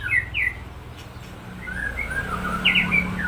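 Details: White-rumped shama of the Supak lineage singing in the 'roll tembak' style: clear whistled notes, some slurred upward and some downward, in loose phrases with short gaps, over a low steady hum.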